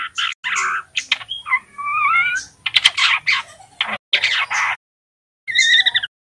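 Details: Juvenile male white-rumped shama learning the 'ngeriwik' sound, used to provoke other shamas into singing: broken rising and falling whistles with harmonics, interspersed with short harsh rattling bursts and brief silent gaps.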